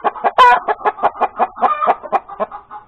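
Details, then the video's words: Hen after laying an egg, breakfast time on 31 January 2021, giving loud, evenly spaced clucks about four per second, with one sharp high squawk near the start and a stretched nasal note midway. "the crowing of the hen that lays the egg"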